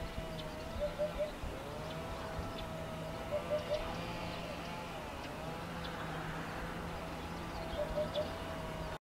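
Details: A Eurasian hoopoe in Sicily gives soft, low, hollow triple hoots, 'oop-oop-oop', three times, a few seconds apart, over a steady hum of distant traffic.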